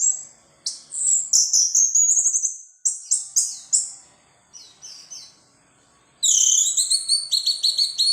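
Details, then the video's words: Loud, nonstop teler bongkar isian song of an orange-headed thrush packed with filler phrases: high whistled sweeps repeated rapidly, a pause of softer notes, then a burst of bright, layered whistling near the end. "Anis merah teler bongkar isian"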